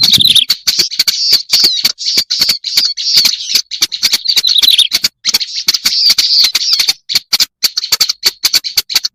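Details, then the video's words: Black-browed reed warbler used for luring birds, delivering a harsh chattering song in long bursts with short pauses, occasional thin high squeaks, and constant sharp clicking ticks. "Suara pikat burung kerak basi alis hitam"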